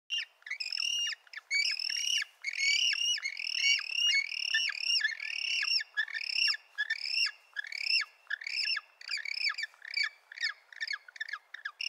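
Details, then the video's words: Little penguins give a dense, overlapping chorus of shrill, harmonic squawks, each a rising-then-falling note repeated over a second or so, with no other sounds. "Cute Little Penguins ❤️❤️❤️ Animals Sounds"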